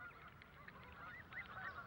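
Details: Several Canada geese in London parks, introduced from North America, honk over one another in nasal two-toned calls that rise and fall quickly, over a low rumble; the adults guard chicks in a communal crèche.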